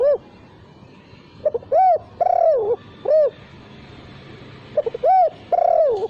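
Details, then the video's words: Repeated mellow cooing of a spotted dove, a lure omitting the last 'kuk' note: brief stammered notes, an arched coo and a long wavering coo, then a rounded coo; phrases recur about every three seconds over low hum. "Pancingan untuk Burung Tekukur tanpa KUK"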